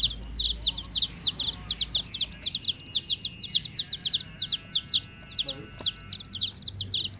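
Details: Coloured chicks with their hen give a steady stream of piercing, down-slurred peeps, closely spaced and overlapping, over low background noise.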